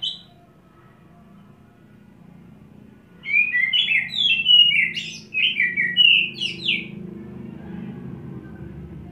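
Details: Kacer, Oriental magpie-robin, kept on one perch under a 'setting basah' routine, doing ngobra while spilling isian: after three quiet seconds, a rapid chain of sweet slurred whistles and chirps over a low indoor hum.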